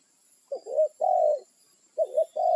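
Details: Wild spotted dove calling to its companions, a territorial bird: two cooing phrases, each a quick doubled coo followed by a longer drawn-out hollow note, separated by about a second of quiet.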